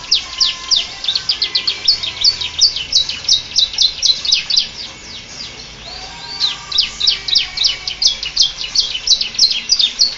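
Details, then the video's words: Canary singing in ciblek style after the Bar-winged prinia: steady, fast series of high, sharp chirps, several per second, with a brief softer lull midway before the chipping resumes. "Suara kicau burung kenari rasa ciblek"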